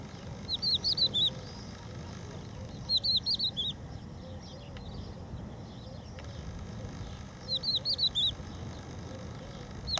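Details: A strictly protected crested lark on the beach at Empuriabrava sings three short, clear fluty phrases of high whistled notes, several seconds apart, over a steady low rumble of surf or wind.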